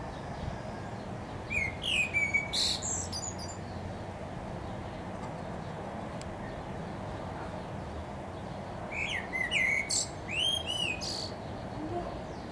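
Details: Blackbird atop a tree sings two separate phrases several seconds apart, each a few low fluted whistles capped by high, chattering squeaky notes, with quiet background noise between them.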